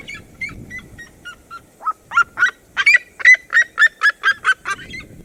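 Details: Cerrado seriema calling in a duet: soft, sliding yelps build into a fast series of loud, ringing, nasal barks repeated about four times a second, then fade.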